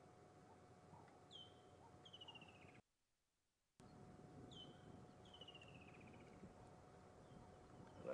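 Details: A Woodland Kingfisher calls in the distance during a sunset safari drive on 4 December 2014. It repeats a sharp high note and then a long descending trill. A steady engine hum and a man's voice run underneath.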